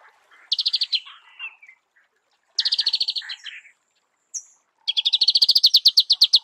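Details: Marico sunbird in natural habitat delivering buzzy, rapid trills separated by brief pauses, the last run long and steady with sharp repeated notes.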